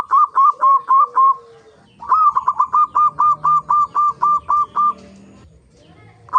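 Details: Singing local zebra dove on a lure track for other zebra doves: a rising lead note followed by about a dozen crisp, evenly paced coos, then a pause and a new phrase beginning.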